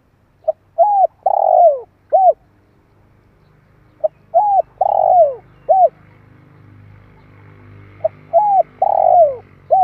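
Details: ['Spotted dove call for stimulating decoy birds and training fresh captives, three mellow phrases of clipped note, coo, long descending purr and short final coo, repeated about every four seconds over a rising low hum and faint buzz.']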